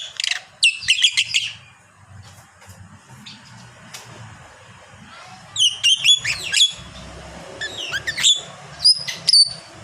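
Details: Lovebird, a fighter bird kept as a hobby bird, giving a long ngekek chatter: sharp, shrill chirps in quick bursts near the start, then a second run of rapid, falling squeaky notes later on, with low background hum.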